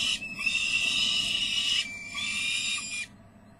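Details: Peregrine falcon at a nest site in de Mortel, 29 May 2009, an adult warning as a young bird flutters on the ledge edge; a harsh, drawn-out screeching call in two long bursts with a brief break, over low background hum.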